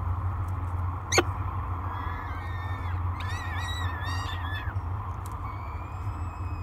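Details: Hungry peregrine falcon chicks at a breakfast feeding on a nest cam at Great Spirit Bluff, 24 May 2022; a few harmonic, wavering wails in the middle over a steady low electrical hum and one sharp click.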